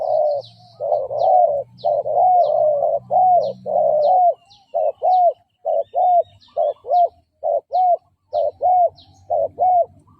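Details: Spotted dove decoy cooing meant to lure and provoke fighting males: a loud run of mellow low coos, short rising-falling notes repeated about once a second, with a faint higher chirping bird in the background.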